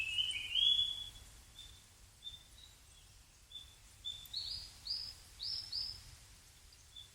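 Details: Rustic bunting opening with a loud, quick warble, followed by soft, spaced, thin notes and then a run of short rising chirps about every half second. Faint low background noise throughout.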